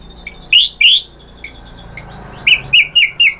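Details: White-rumped shama song meant to make other shamas answer: a few high sharp chips, then slurred whistled notes, followed by a run of four quick, similar whistles repeated about every quarter second.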